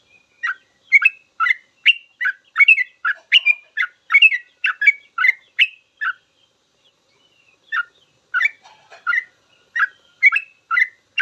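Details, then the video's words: Sooty-headed bulbul singing full song, used to teach caged birds; dense runs of chirpy whistled double notes for six seconds, a brief lull, then another burst of bubbly phrases. "Suara trucukan full ropel panjang cocok buat masteran trucuk belajar bunyi langsung ikut ropel"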